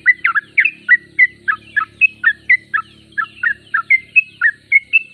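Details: Sooty-headed bulbul in full song, giving bright, clipped whistled notes at a quick, fairly even pace over a faint low background hum.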